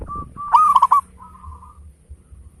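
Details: Local zebra dove singing actively, valued for its big voice and beautiful beat as a lure to prompt others to sing: a soft lead-in coo, then a loud rapid rolling burst of four notes and a fading, drawn-out coo.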